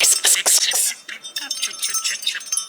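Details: A male pet budgerigar, who talks whenever his bell is shaken, chatters in quick, hissy, high bursts of mimicked words, including swearing and a learned "kiss kiss", while a small bell rings in bright tones.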